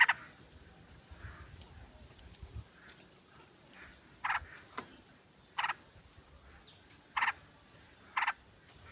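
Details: Sooty-headed bulbul lure sound of a female calling the male in a flock. Raspy bursts grow louder toward the end, about one a second, and many thin high whistles from other birds sound throughout.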